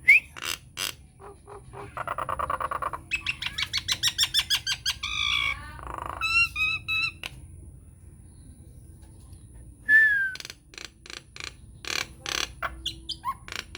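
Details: A Nias hill myna song used as lure audio for mynas pours out loud, varied phrases: rapid clicking bursts, harsh squawks and clear rising whistles, with brief pauses between runs.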